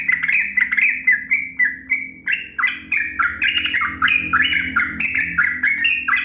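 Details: Yellow-vented bulbul singing a long rapid-fire 'ropel panjang' song, played to coax silent caged bulbuls into singing. A continuous stream of bubbly, up-and-down warbled phrases, about three to four notes per second, with no pauses.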